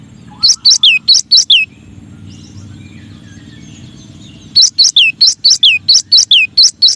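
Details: Cinereous tit, called gelatik batu or gelatik wingko, singing a masteran-style song: bursts of bright high chirped notes, each ending in a downward slur, repeated rapidly in two runs separated by a few seconds of quiet with faint distant chirps.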